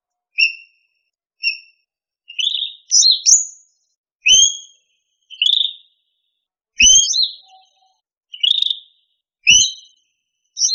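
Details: Cucak rante singing a series of loud, clear whistled phrases, some paired and rising, others slurred and warbling, repeated roughly every second with short gaps; a few faint low knocks underneath.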